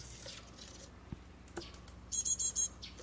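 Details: Japanese tit nestlings fledging from a garden nest box near a mountain village, six chicks tended by both parents; a quick run of four high, thin, evenly spaced chirps near the end, faint clicks earlier.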